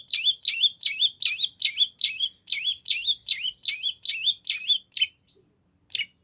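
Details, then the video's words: Long-tailed shrike in full, lively song used as a lure so shrikes answer: a repeated, even series of sharp chip notes, each followed by a short wavering whistle, about two and a half per second, then brief pauses. "Kicau Cendet Gacor Full Isian Nagen! Ampuh Dijadikan Pancingan Agar Cendet Langsung Nyaut"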